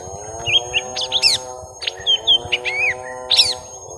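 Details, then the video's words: Short excerpt of young lesser green leafbirds fighting: a few wavering whistled notes and brief chirps, then a high ticking burst, set against a continuous low harmonic hum. "Suara Pertarungan panjang cucak ijo mini muda"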